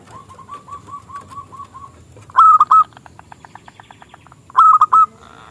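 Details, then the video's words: Zebra dove of a local strain with a small crystal voice, used to get rival doves singing: a faint series of soft coos, then two loud rolling phrases with a pulsed rattle between them. "Perkutut Lokal Gacor suara KECIL Kristal AHLINYA untuk pancingan perkutut lawan MANGGUNG"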